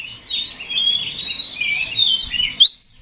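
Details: Oriental magpie-robin (kacer) song meant to trigger a fighting response in another male: continuous high, buzzy warbling chatter, ending in a sharp upward whistled sweep.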